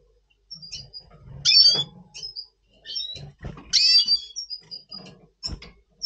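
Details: Red siskin of the Double Pastel mutation before breeding, November 2023; two loud harsh buzzy bursts separated by thin high whistles and soft twitters, with faint rustling.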